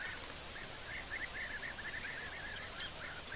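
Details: Swainson's spurfowl at a waterhole on 20 March 2024 gives a fast run of harsh, scratchy notes around mid pitch, partly buried in a steady hiss of background noise.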